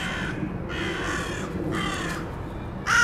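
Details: Crows in a fight: three harsh, drawn-out caws follow at roughly half-second gaps, and a loud new call bursts in at the end over a low background rumble.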